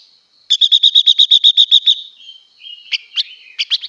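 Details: Female blue-winged leafbird in song meant to rouse males: a loud rapid series of about twelve harsh repeated notes, followed by a lower slurred phrase and several separate sharp chirps.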